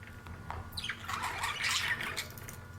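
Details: Budgerigars from three newly acquired pairs chatter in quick, scratchy warbles with a falling squeak mixed into the jumble.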